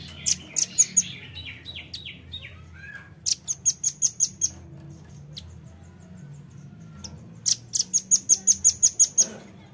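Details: Velvet-fronted nuthatch lure sound: rapid bursts of sharp, high chipping notes, about eight to ten in each quick run, with brief pauses between runs, with music.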